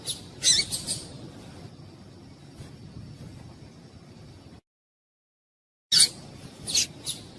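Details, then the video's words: Female papa-capim (seedeater) gives short, very high squeaky chips in small bursts over a faint steady high hiss, with a brief silent gap; the call is used to stimulate males for singing tournaments. "Piado de Fêmea de Papa capim para Esquentar Papa capim"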